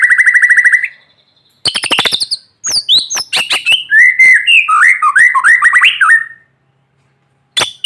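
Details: White-rumped shama sunning in the morning and singing, used to encourage reluctant shamas: a rapid whistled trill, harsh rattles, then a varied sequence of sweet slurred whistles and chattering notes, ending after a brief pause.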